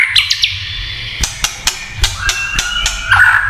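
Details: White-rumped shama kretekan song, said to rouse other shamas: a few high chirps, then sharp clicks spaced about a quarter second apart over faint sustained whistles.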